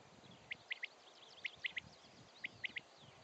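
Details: A common quail gives its courtship call, the liquid three-note 'wet-my-lips', three times about once a second, with an answering bird in the background and faint chirps and rural noise, 21 June 2011.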